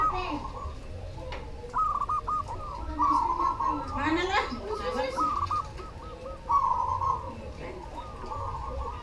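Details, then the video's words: Zebra dove of the black cemani variety singing: rolling, trilled cooing phrases repeated over a steady low background hum, with faint voices. "SUARA PERKUTUT CEMANI GACOR"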